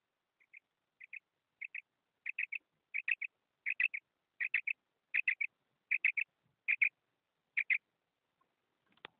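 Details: The call of a female Common Quail is a steady series of crisp, high double notes. It starts soft and swells louder, with couplets spaced under a second apart over a silent background.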